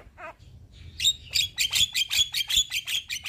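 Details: Javan myna, a young bird in full song, used to tutor and provoke other mynas; a brief low call, then a fast run of loud, harsh, buzzy high notes repeated about two or three times a second.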